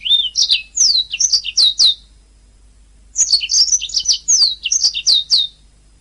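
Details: Canary singing on a master recording for teaching cage birds: two bursts of quick, bright, downward-sweeping chirps, each lasting about two seconds, separated by a short silence.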